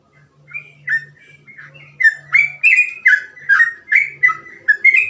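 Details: Yellow-vented bulbul (trucukan) singing actively in a rapid, continuous ropel style with varied cengkok phrasing. It gives a steady stream of rich, fluty whistled notes, roughly one every half second. A faint low hum is heard in places.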